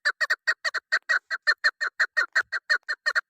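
A female chukar partridge gives rapid, harsh clucking notes, about three per second, in a steady chattering series with no other sounds.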